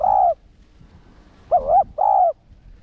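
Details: Low spotted dove coos in the one-ending style, used to provoke caged birds. A steady coo, a pause, then a wavering note and a longer even coo.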